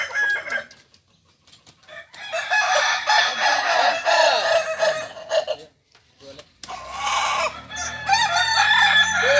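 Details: Kokok Balenggek roosters at a crowing practice gathering in Ampang Kualo, Kota Solok, crowing in overlapping, stepped, arching phrases. A long chorus fills the middle, with brief quiet gaps and murmured voices in between.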